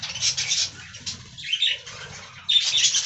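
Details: Budgies with fresh green leaves give high twitters that fade and then return loudly. Faint low pattering and rustling run throughout.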